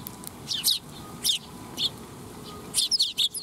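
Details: Eurasian tree sparrows coming to be fed at a Tenmangu shrine on 12 July 2021: short high chirps in small bunches, a quick pair near the start, single notes spaced through the middle, and a busier cluster at the end over low background hum.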